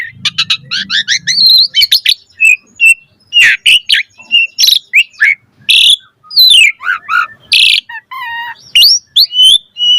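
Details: Busy Asian pied starling song for training caged birds: quick chattering bursts, loud harsh squeals, short descending whistles, and scattered sharp chirps over ten seconds.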